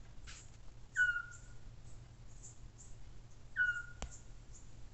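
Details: Eurasian scops owl calling at night: two short, clear whistled notes, each sliding slightly downward, spaced about two and a half seconds apart, over a steady low hum with a sharp click.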